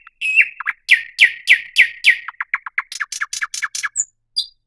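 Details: A thrush nightingale delivers a rhythmic series of loud, sharp, falling chirps at a steady pace, accelerating into quicker clipped notes, ending with a couple of high thin whistles.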